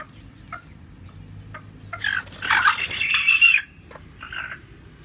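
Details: A white black-tailed bantam hen, hungry after sitting long on eggs and now foraging, gives a few soft clucks, then a harsh, noisy squawk lasting about a second, with faint background hum.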